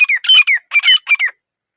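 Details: Grey francolin, or teetar, heard in a calm jungle atmosphere: three quick harsh phrases of squawking notes with falling slurred whistles, run together, then silence.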